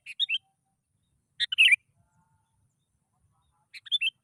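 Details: Sooty-headed bulbul lure song, used to prompt idle bulbuls to start singing: three short bubbly chirpy phrases, spaced about a second and a half apart, in a quiet background.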